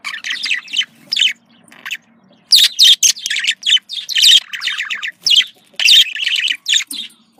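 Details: Male and female pet budgies calling to encourage breeding: a few soft chirps, then a long busy run of sharp, scratchy chirps and warbled notes in uneven bursts.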